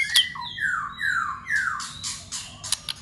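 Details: White-rumped shama in contest song training, giving loud slurred notes that sweep downward in a repeated series, followed by harsh buzzy notes and clicks.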